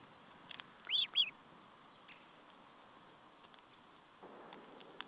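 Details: Osprey calling at the nest during a meal on 14 July 2012: a quick pair of loud, high, whistled chirps with downward-curving tails, then only faint ticks and background hiss.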